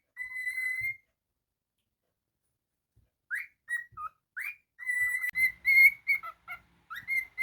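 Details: Pet cockatiel whistling indoors: a long steady whistle near one pitch, a pause, then a string of short rising and level whistled notes, some upswept, with faint low knocking in the background.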